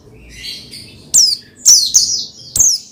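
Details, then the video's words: Pleci (Oriental white-eye) giving song to encourage another bird to sing; faint twitter at first, then loud high downslurred chirps in quick succession and a final sharp note. "Menaikan Emosi Burung Pleci Bahan Agar Pleci Gacor Cepat Bunyi Rajin Gacor"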